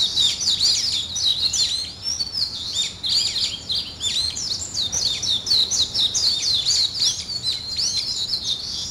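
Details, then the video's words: Busy high twittering from several birds in the morning, with quick chirps and rising and falling notes packed closely together throughout. "아침을 깨우는 새소리 2 ,Birds wake up in the morning 2"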